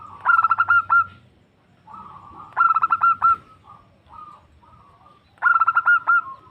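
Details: Female zebra dove calling a male, a sound used for luring: three bursts of quick staccato fluty notes with ringing overtones, about three seconds apart. Softer level coos fill the gaps.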